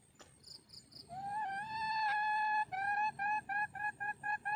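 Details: Red junglefowl hen calling for a mate: a faint high thin tone at first, then a loud harmonic note held steady for about a second and a half, broken into short repeated notes about twice per second, over low rural background noise.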